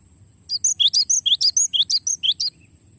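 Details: Cinereous tit rolling song for training songbirds: a long, even series of about fourteen sharp notes, roughly three per second, high chips alternating with lower slurred whistles, two seconds long over a faint low drone.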